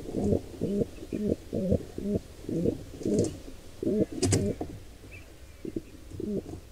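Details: Wild pigeons at a nest where a squab is set upon by an intruding pair: soft, low grunting coos repeated about twice a second against a steady background hiss, with a faint click partway through.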